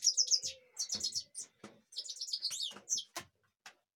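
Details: Goldfinch recorded in Kashmir delivering quick, bright twittering phrases with tinkling trills and a nasal buzzy note, followed by a few clicks.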